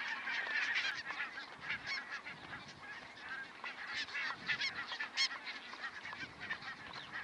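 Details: A large flock of barnacle geese at Stadil gives a dense, overlapping chorus of short, high yapping barks, several calls every second with no pause.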